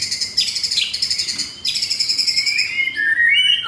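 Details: Male white-rumped shama, F4 line, with mottled juvenile plumage, on a Saturday morning (10 September), sings loud, rapid, harsh chattering phrases in quick bursts, ending in clear rising whistles; it is thought to mimic another bird, maybe a shrike or sparrow.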